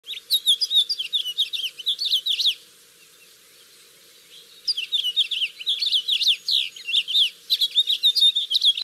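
A house finch sings a fast, jumbled warble of high, twisting notes in two long runs separated by a two-second pause.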